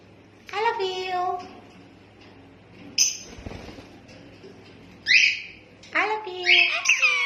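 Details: Rose-ringed parakeet indoors mimicking human speech: voice-like harmonic phrases with rising and falling pitch, broken by sharp, high squawks and short pauses.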